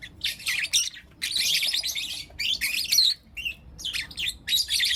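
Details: Four young lutino lovebirds in captivity give dense, scratchy high chirps in the morning, long noisy bursts of chatter broken by brief gaps and a few sharper rising squeaks.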